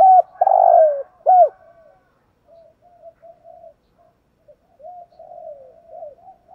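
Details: Captive decoy spotted dove: one loud coo phrase with a long throaty note and a falling end, then mostly soft, scattered cooing notes for the rest of the recording.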